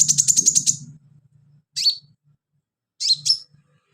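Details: Actively singing sunbird, its song used as filler for training birds: a fast, high, rattling trill of evenly spaced ticks, then two sharp, sweeping chirps, over a low background hum.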